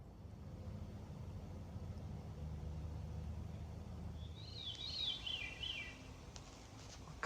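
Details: At a campsite around 5:30–6:30 pm, a Veery gives a breezy, flute-like phrase that spirals downward in pitch over about two seconds, after a stretch of low rumbling background noise.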